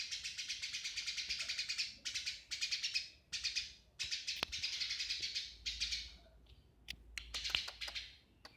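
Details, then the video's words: Eurasian tree sparrow (burung gereja) giving sustained bouts of fast, high-pitched chirping chatter in repeated bursts, ending in scattered single chirps and sharp clicks, with a faint low rumble underneath. "Burung Gereja"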